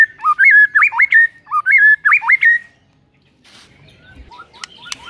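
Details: White-rumped shama song used to provoke a sluggish shama into singing: loud whistled phrases with rising and falling hooked notes in quick repeated pairs for under three seconds, then near silence with faint clicks.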